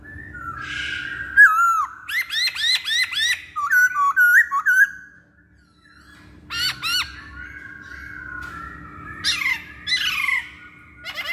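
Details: Masked laughingthrush song played as a lure to make other birds sing: loud whistled and squawky notes, a rapid run of repeated buzzy rising phrases, pauses, then varied harsh chattering notes; a steady low hum underneath.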